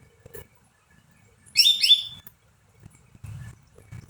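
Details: Greater green leafbird singing to stimulate other birds into song: a single clear burst of two rapid, high, slurred whistles dropping in pitch, then quiet with soft low thumps and rustling.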